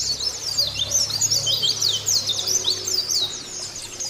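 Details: White-eye song meant to make caged white-eyes sing, an even, unbroken flow of high, thin twittering whistles over a steady low background hum.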